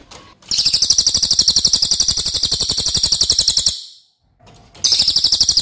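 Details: Racket-tailed Treepie (cililin), recorded to train other birds and known for a loud, long voice: a shrill, rapid pulsed trill of over three seconds, a pause with faint rustling, then the trill starts again.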